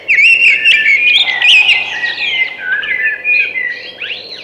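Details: A thrush delivers one long continuous run of clear whistled notes, sliding and warbling, ending in upward-swept phrases; faint low hum underneath.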